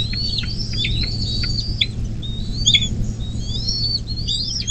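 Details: Bald eagle at a nest on private land along the Little Miami River near South Lebanon, Ohio, USA, recorded by a nest camera on 24 May 2024 at 10:12. It gives high, thin, whistled chirps in quick slurred bursts over a steady low electrical hum.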